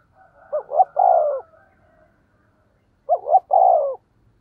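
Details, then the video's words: Decoy spotted dove with a deep 'giọng thổ' voice giving 'thúc gù' coos: two separate phrases about three seconds apart, each a brief rising hoot followed by a fuller, drawn-out falling coo in silence. "cu gáy giọng thổ THÚC GÙ bài bản"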